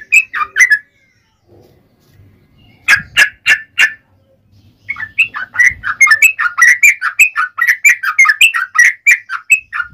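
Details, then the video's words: Yellow-vented bulbul in the ropel panjang style. A few bubbly notes open the passage, then come sharp clicking bursts and a pause, followed by a fast, continuous stream of warbling, liquid notes to the end. "SUARA trucukan gacor ROPEL PANJANG"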